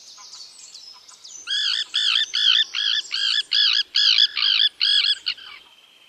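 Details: Common terns at a breeding colony on rafts built by the town of Dachau, Germany, where they regularly raise young; a rapid run of about eleven harsh, arched, rasping calls in four seconds, preceded by thin high whistles.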